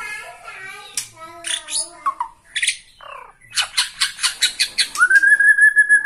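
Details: Bornean White-rumped shama singing emotionally while watching a rival: varied harmonic whistles and harsh bursts, then a quick series of rhythmic chattering notes ending in a long, clear, slightly rising whistle.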